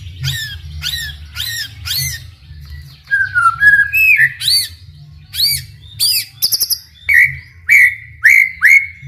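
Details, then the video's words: Energetic White-rumped shama song played to spur other shamas into answering: repeated sweeping chip notes, then low whistled slurs, a brief rattle, and evenly spaced loud upslurred whistles about once per second. "MURAI BATU GACOR COCOK UNTUK MEMANCING MURAI SUPAYA RAJIN BUNYI AUTO NYAUT IKUTAN GACOR | SHAMA BIRD"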